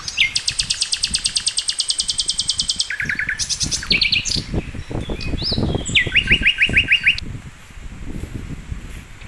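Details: Flycatcher known as sikatan londo, recorded as a master for training songbirds: a long, very fast trill of high chirps, varied trilled phrases, then a lower-pitched fast trill, with low rumbling noise.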